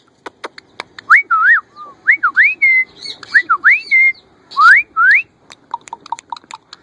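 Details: Caged female rose-ringed parakeet, recently given a male, gives her mating call toward the owner: a string of rising whistled notes, several short upslurs in quick succession, with softer chatter and clicks between.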